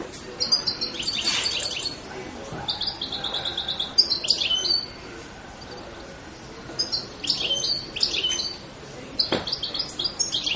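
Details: European goldfinch giving short bursts of high, bright chirps and buzzy trills, several spaced groups separated by brief pauses, with a faint low background hiss.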